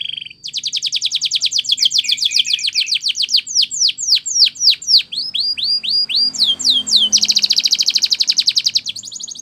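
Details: Singing Belgian canary, training song: fast rolling trills of high sweeping notes, a passage of slower descending whistled slurs, then a dense buzzy high roll. Faint low hum beneath.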